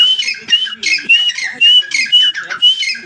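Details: Grey francolin giving a rapid run of shrill, high notes, each with a clear whistled streak, repeated roughly twice a second in a close, loud recording.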